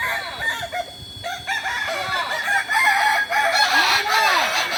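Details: Kokok Balenggek roosters practising together in Ampang Kualo, Solok, West Sumatra, producing a steady wash of overlapping crows, and one clear low drawn-out arched crow near the end.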